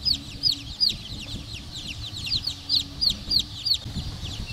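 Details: Black Cochin bantam chicks peeping: high, thin, downward-slurred peeps repeated roughly three times per second, with a low background hum throughout.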